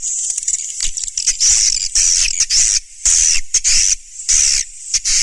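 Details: Swiftlet lure sound: dense bursts of high, buzzy twittering chirps, each lasting a fraction of a second to half a second, with short silent gaps and no other sounds.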